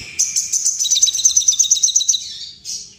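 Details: Sooty-headed bulbul in breeding condition: a rapid, high, bright chattering run of evenly repeated chirps for about two seconds, then one final note, said to make others quiver their wings and display.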